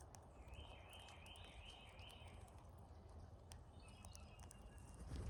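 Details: Migrating cowbirds crowd a backyard feeder in North America, giving four rolling, wavy whistles in a row, followed by thinner, higher notes later, with soft outdoor noise beneath.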